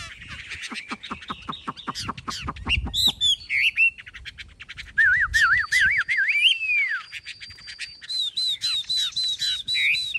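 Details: Captive Chinese hwamei, large-bodied with a fully spread tail and high-set wings, delivers fast dry ticking, then rich wavy warbled phrases and a run of repeated high looping whistles.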